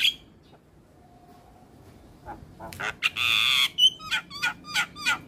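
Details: Javan myna in lively full training song: quiet at first, then a loud sustained harsh rasp followed by a rhythmic series of short squeaky notes, about three per second.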